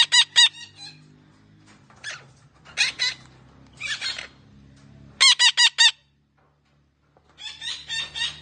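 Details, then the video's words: Parrot vocalizing: clusters of sharp, rasping harmonic notes in runs of two to five, a brief silent gap, then a final chattering series, with low hum in the background. "Parrot talking sounds part 2"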